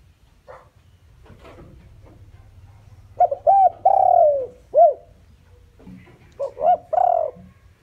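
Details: Spotted dove kept as a decoy, calling to lure wild doves: soft hollow coos, one long sliding coo with a quick closing note, then a second phrase of short coos and a drawn-out coo, with a faint low hum underneath.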